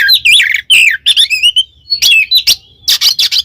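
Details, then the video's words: Oriental magpie-robin singing ngeplong to challenge another male: dense, loud run of warbled whistles and rough, scratchy phrases, then a long rising whistle and strong noisy notes. "suara burung Kacer NGEPLONG memanggil lawan bikin emosi Kacer lain"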